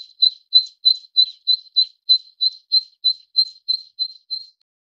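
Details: A Zitting cisticola (Cisticola juncidis) calls about fourteen crisp, high 'zit' notes at an even pace of about three per second, then stops. The background is quiet.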